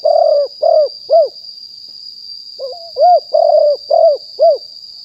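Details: Spotted dove, wild, recorded live at Nong Khu Phai in 2021 for luring other doves. Two phrases of rounded coos mixing trilled and smooth notes, separated by a short pause, over a constant high whine.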